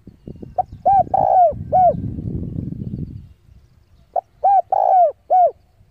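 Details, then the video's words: Spotted dove used as a decoy, calling rivals to come and fight, gives a phrase of arched coos with one long central coo, then a noisy rustling pause before the same coo phrase repeats. "tiếng chim cu gáy gọi bổi về cội để đấu của con chim cu gáy mồi giọng gáy hay cực chuẩn kích bổi"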